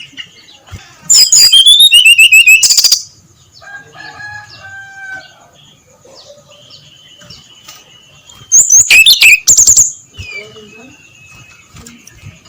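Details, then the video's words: Brown-chested jungle flycatcher in its clear ngeplong dawn song, two loud bursts of rapid, bright whistled notes falling in pitch, each lasting about two seconds, separated by softer chirping and whistles of other birds. "SUARA SRDC NGEPLONG PAGI BUTA, COCOK PANCINGAN SRDC BIAR BUNYI GACOR NGEPLONG"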